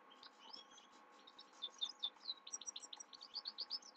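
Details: Himalayan goldfinch singing at night: a fast, continuous twitter of high, bright chirps and short trills that grows louder and more clipped toward the end, over a steady low hum.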